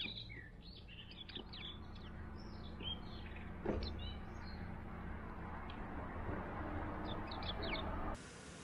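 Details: Warbling white-eye at an orange set on a feeding stand after a week without rain: many short, thin high chirps, some slurred, scattered through the clip, over constant rumbling background noise.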